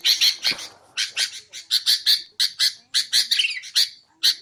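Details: Sooty-headed bulbul recording used for luring wild birds and tutoring cage birds: irregular scratchy, buzzy notes in uneven bursts, with one short whistled slur near the end.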